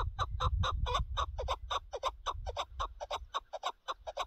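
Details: Chukar partridge linked to partridge hunting, giving a fast run of harsh clucking notes, about four per second, steady in pitch, over a low rumble of background noise.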